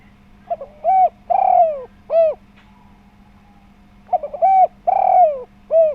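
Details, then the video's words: Spotted dove calling strongly as a lure to set off other doves: two full phrases of stuttered notes, a level coo, a long sliding coo and a short rounded ending, with low hum behind. "Tekukur Gacor Suara Bulat Pemancing Bunyi."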